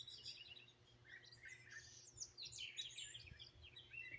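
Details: Several birds chorus outside in Greenville, South Carolina, 2023, captured on a phone. Dense high twitters and quick trilled phrases run almost continuously over a faint constant background hum.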